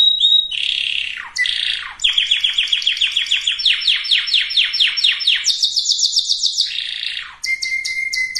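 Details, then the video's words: Canary song meant to ready females and males for breeding. Short whistles and buzzes lead into long runs of quick falling pulsed notes, a high rattling trill, then a steady low whistle under high chips. "اقوى وافضل تغريد كناري لتجهيز الاناث وتجهيز الذكور canary singing"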